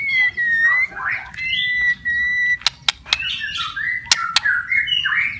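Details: White-rumped shama song, intended to get stressed or quiet shamas singing; long sustained whistles and warbled phrases with sharp clicks, over a steady low background hum.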